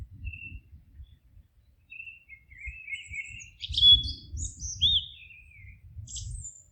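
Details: Forest birds calling: a few thin whistles, then a cluster of sharp chirps and a rising note midway, with soft low rumbling behind.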